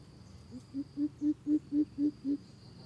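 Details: Coucal giving a deep, hollow hooting series: about eight low 'boop' notes, each about a quarter second apart, quiet at first then steady and loud, over a faint, thin, continuous high insect tone.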